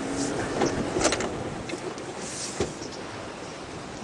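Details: Broadband rumbling vehicle or boat noise with scattered knocks and clatters and no animal voice.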